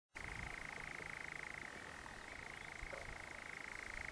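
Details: Nightjar recorded in 2012 at Hamsterley, two birds showing between 9.45 and 10.30: an unbroken, even mechanical churring trill held at one steady pitch throughout, with faint low background rumble.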